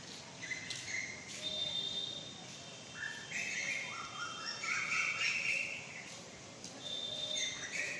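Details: Female Asian koel giving quick series of sharp, shrill whistled notes that climb and drop in short steps, about three to four notes per second, loudest mid-clip, with scattered faint chirps and steady outdoor hiss behind.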